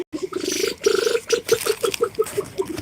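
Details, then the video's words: A male Reeves's pheasant, a talkative captive bird, chatters on a warm 70° winter day in a steady run of low, throaty clucks, about five or six notes a second, with faint background rustling; said to have an attitude. "see, just talking away. Unfortunately, he's not saying anything nice because he's a Reeves pheasant. They got attitudes."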